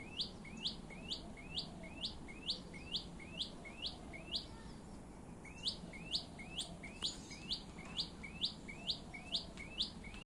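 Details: Brown shrike (Lanius cristatus) singing: a steady run of sharp, upslurred notes, roughly two each second, high and clear over a low background rumble.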